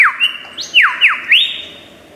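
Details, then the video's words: Australian forest lyrebird performing mimicry: sharp, fast falling whistles repeated roughly every half second over a steady ringing tone, ending in a rising slurred note that fades away. "Lyrebird song bird singing"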